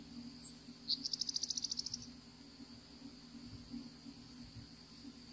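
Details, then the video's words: Savannah sparrow in Florida in winter, one bird perched: a sharp high chip opens a quick run of about a dozen evenly spaced buzzy high pulses, then quiet with only steady hiss and low hum. "Savannah Sparrow Calling"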